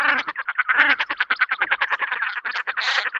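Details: Common Shelduck calling in a rapid, harsh chatter of nasal pulses, several per second, with overlapping voices that suggest more than one bird; the calls are steady throughout, with a brief higher, brighter note near the end.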